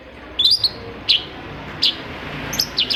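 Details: Brief burst of Long-tailed shrike song played to trigger silent shrikes: a few isolated sharp high chirps spaced under a second apart, against steady hiss.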